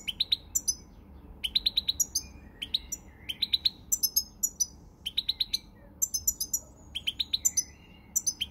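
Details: Goldfinch song from 20 March 2020: bright, rapid chirping phrases of several high notes each, repeated about every second with brief gaps, mixed with thin drawn-out whistles; quiet low hum beneath.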